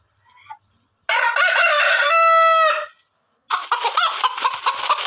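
A rooster gives a loud, harsh cock-a-doodle-doo, ending in a long drawn-out note, then starts another crow after a short pause.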